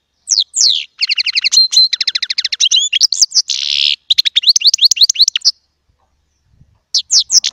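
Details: Small European goldfinch in full song: rapid tinkling trills, a wheezy buzzy note midway, then a run of quick rising chirps, a pause and a few final notes.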